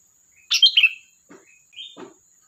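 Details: Sooty-headed bulbul giving one loud, fluty, warbling phrase, followed by two softer shorter notes, against a faint steady high hum.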